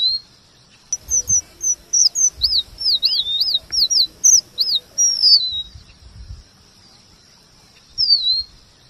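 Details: Male red avadavat (emprit geni, strawberry finch), a tutor bird for training white-rumped shamas, singing a varied rolling song: high thin whistles, then a run of looping, bouncing notes repeated rapidly for about four seconds, ending with a lone slurred whistle.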